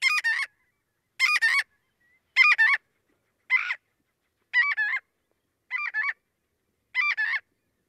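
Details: A Marbled Godwit gives seven loud, raspy, scream-like two-syllable 'god-wit' alarm cries, one roughly every second; such birds follow and yell at people who come close.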